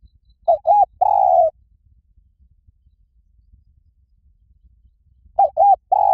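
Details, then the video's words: Spotted dove lure call: a phrase of two quick coos and a drawn-out mellow coo, then several seconds of silence before the same phrase begins again. "เสียงนกเขาใหญ่ หมานๆ ต่อเข้าเร็ว ป่าไหนก็เข้า"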